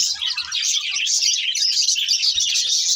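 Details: Budgerigars, a breeding pair, chirping continuously: a dense, busy stream of high warbling twitters and chatter filling the recording, with faint low thumps.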